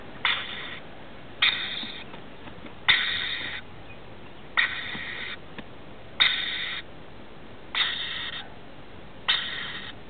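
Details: Rainbow lorikeet family, male, female and two offspring, settling for the night inside a roof; a steady series of seven rough, screechy squawks, each under a second, repeated about every one and a half seconds.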